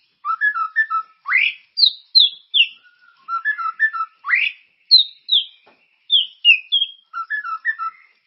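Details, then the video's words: White-rumped shama singing loud and varied, a lure to prompt other birds to sing: clusters of clear whistled notes, fast upward sweeps and descending slurred phrases, separated by brief pauses. "Suara pancingan burung murai ❗gacor dan berkarakter"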